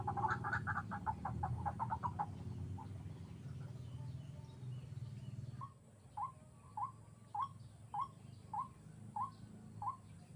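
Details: White-breasted waterhen heard during trapping with a hanging snare: a burst of hoarse, rapid croaks at first, then after a pause a clean series of short upward-inflected notes repeated roughly every 0.6 seconds.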